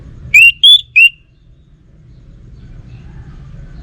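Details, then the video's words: Three clear, loud whistles from an orange-headed thrush, the first rising, the second higher and level, the third dropping back, given within a second. Quiet low hum follows. "Burung ANIS MERAH Lansung Nyaut Gacor Tanpa Henti"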